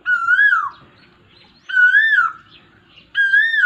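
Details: Asian koel heard in the rainy season, giving clear whistled calls that swell upward then dip, three in quick succession roughly every one and a half seconds, with soft background murmur.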